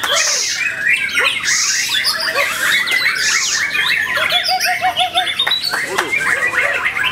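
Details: White-rumped shama recorded in Ciseeng, Bogor, 10 August 2021, a newly acquired bird pouring out a crowded song of high chirps and squeaky notes, with a short run of repeated lower whistles midway.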